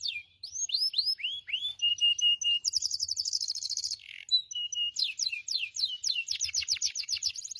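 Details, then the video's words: Canary in full, lively song, used as a master singer to stimulate untrained canaries into singing: a series of rising whistled sweeps, a held clear whistle, then rapid buzzy trills and rolling chirp runs repeated several times without pause. "Gacorrr Cuit Cuirr Roll || Kenari Bahan Auto Ikutan Bunyi."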